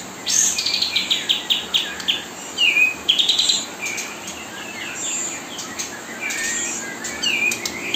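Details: Kapas tembak mastering song, nonstop day and night while young birds are fed: rapid high chattering phrases with quick pulsed trills, sharp downslurred whistles and short pauses, steady hiss behind.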